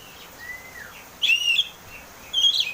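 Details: Oriental magpie-robin song used as a lure for cage birds, ngeplong style: a soft descending whistle, then two louder, bright, slightly warbled whistled phrases about a second apart.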